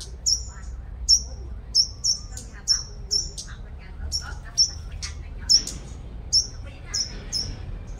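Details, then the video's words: Sunbird singing as a lure bird in Long Thành, Đồng Nai, Vietnam. It produces a steady series of very high, piercing chirps, roughly two each second, each note short and slightly downslurred, over faint low background noise. "Chim Hút Mật 5 Màu Mồi Siêu Hót"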